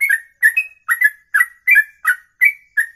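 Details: Singing bird performing ropelan, a lengthy one-breath song over two minutes long; bright doubled whistles with a sharp high edge, spaced about three per second, some notes drawn out flat.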